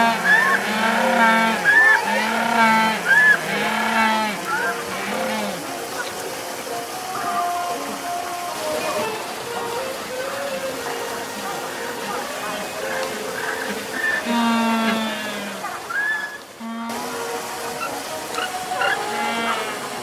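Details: Humboldt penguins (Spheniscus humboldti) at Minamichita Beach Land give harsh, nasal, braying calls in repeated honking bursts, with a faint background murmur.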